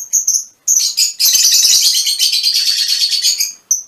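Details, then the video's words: A few sharp high notes from mutation Fischer's lovebirds give way to a dense, shrill chattering run of rapid rasping pulses lasting over two seconds, ending with one more high call. "mutación del agapornis - mutation fisher lovebirds"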